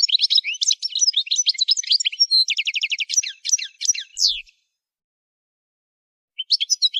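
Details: Goldfinch song used in song training: bright, quick twittering and a run of evenly repeated chirps for about four and a half seconds. After a long silence, the jingling song resumes.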